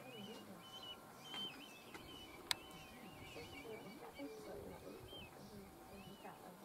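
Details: Red kites in a feeding frenzy at the 2 pm feeding station at BellyMack Hill Farm, Galloway, Scotland, where hundreds gather, give thin, wavering, quavering whistles over and over, through steady outdoor background noise and voices.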